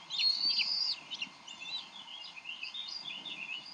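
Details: Bald eagles at the Decorah nest, 30 May 2012, with the adults arguing over a fish meant for the eaglet; an opening run of loud, piercing whistled chatter fades into softer, rapid squeaky chirps.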